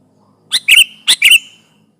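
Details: Sooty-headed bulbul lure song for trapping, meant to press a rival. Two quick bright phrases in under a second, each a short chirp followed by a fuller bubbly warble.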